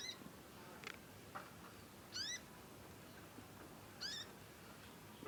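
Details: Juvenile conin practising its song, producing two clear rising, harmonic whistled chirps about two seconds apart, with fainter short notes between them and quiet background noise throughout.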